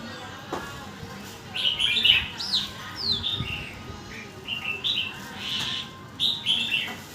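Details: Red-whiskered bulbul singing its phrases in quick succession: short bright warbled and whistled notes, some rising and falling, delivered in bursts with brief pauses over a faint steady background hum.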